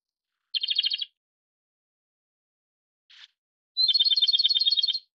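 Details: A Japanese robin gives two quick rattling trills. The first is short; the second is longer and opens with a thin whistle. A brief soft buzzy note falls between them.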